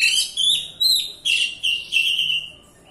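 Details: White-rumped shama song used as a lure to make a silent bird sing: loud high whistled phrases in quick bursts, each slurring downward, repeated about every half second.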